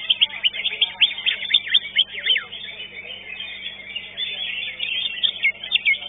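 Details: Greater green leafbird, second-place winner at a songbird contest in Legok Permai, sings fast bursts of sharp, downslurred whistled notes and chips, with a dense chorus of other competing birds behind.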